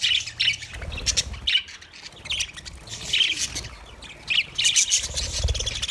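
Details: Flock of aviary budgerigars, Australia, chattering steadily: scratchy squawks, quick chirps and warbled notes from several birds, with low background rumble.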